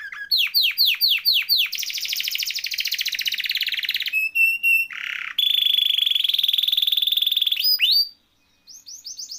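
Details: Canary in full, rolling song, used as a tutor and prompt for canaries that have stopped singing: rapid descending chirps, then long buzzy trills, a short whistled stutter, a low harsh burst and a steady high rolling trill.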